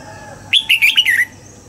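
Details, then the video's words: Red-whiskered bulbul morning song in the double-note wild style, used to train other bulbuls: a single bright whistled note, then a quick run of four rising-falling liquid notes lasting under a second over a quiet background. "Luyện giọng cho chào mào hót sáng, ép chào mào hót âm kép già rừng hay tuyệt!"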